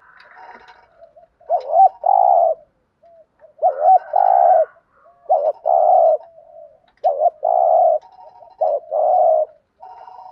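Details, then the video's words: Spotted dove cooing in the thúc gù style used to make other doves call back: four repeats of a hooked double note followed by a long steady coo, coming every one and a half to two seconds, with fainter cooing behind. "thuc gu chim cu gay kich bổi/ cu cườm gù thúc bài bản giúp bổi rất xiếng gáy"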